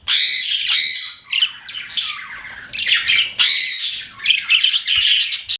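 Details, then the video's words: Pet budgies chattering in loud bursts of scratchy, squawky warbles broken by brief pauses, several phrases overlapping in a lively jumble. "CUTE PET BUDGIES CHIRPING"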